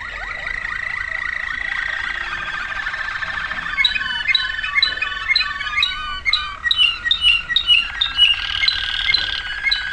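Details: Waterslager canary singing in 2009, moving from a smooth held tone with fine rolling trill into rapid splashing, dripping notes and bubbling water-like phrases, closing on a sustained whistle.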